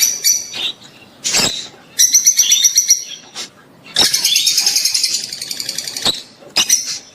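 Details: Breeding-stimulation sounds of rosy-faced and Fischer's lovebirds: long bursts of rapid, shrill, chattering chirps broken by brief pauses, with one short burst at the end.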